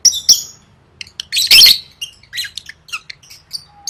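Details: Lovebird voice for gacor training ahead of gantang competitions: scattered thin squeaky chirps around one loud scratchy burst, then quieter ticking notes and a faint steady tone near the end.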